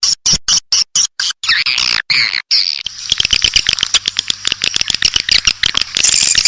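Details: Swiftlet lure recording from Indonesia, outer and inner 'lullaby' sounds played to draw swiftlets into bird houses in Gia Lai and the Central Highlands; sharp high chirps in bursts, then a dense train of rapid clicks and twitters.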